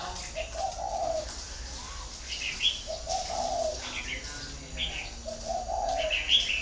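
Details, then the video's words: Spotted dove from a breeding garden in Ba Vì, northern Vietnam, giving low, hoarse cooing phrases about every two seconds. Thin higher chirps from other birds are mixed in. "chim cu gáy hay miền bắc"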